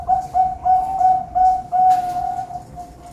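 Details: Zebra dove song from a ringed farm-bred bird in Pamekasan, Madura, Indonesia: clear, evenly paced low coos repeated nearly three times per second, each with a slight upward lift, followed by a longer drawn-out tone.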